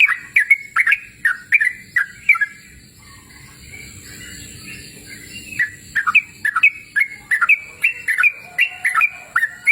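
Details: Outdoors in a cool natural setting, a yellow-vented bulbul sings energetic bursts of short, liquid, chattering notes about every half second, falls quiet for a few seconds, then resumes with a dense, rolling series.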